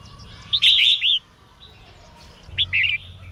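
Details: Female red-whiskered bulbul singing to get males singing: a loud, rich, slightly buzzy warbled phrase, then a pause and a shorter two-part chirping phrase.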